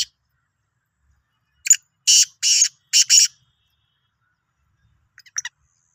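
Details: Black francolin, Sindhi type, 16 March 2023: a single loud phrase of one click and four harsh, grating notes, then silence and a few faint distant ticks.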